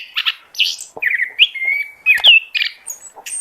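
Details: Oriental magpie-robin lure song: short bursts of buzzy chatter, a trill of quick notes, a long flat whistle and high slurred notes in brisk succession.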